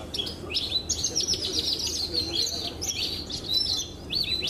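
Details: Pied ('blorok') Javan bush lark, a caged competition bird called a legend and recent best-of-the-best winner, singing rapid high chirps and repeated rising whistled notes, with a man talking faintly underneath.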